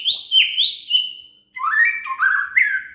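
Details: Shama singing, recorded as song material for training a cililin: a run of bright rising-and-sliding whistles, then a lower, warbled phrase of stepped notes, loud and clear with no other sounds.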